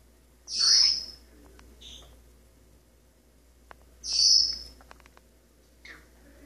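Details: Pet male Maximilian's pionus parrot perched on a kitchen sink faucet, practising scales and singing snippets of learned songs: two loud, harsh, high squawky notes about three seconds apart, with faint clicks and softer chirps between.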